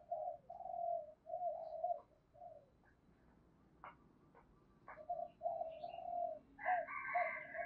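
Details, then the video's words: Spotted dove cooing in the 'thổ' style mixed slightly with 'đồng': series of low mellow coos over steady background noise, with scattered clicks and another bird's higher, harsher call near the end. "cu gáy giọng thổ pha tí đồng"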